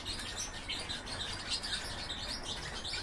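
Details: Goldfinch-canary hybrid twittering: steady high, scratchy chirping notes without pause, set against a low background hum.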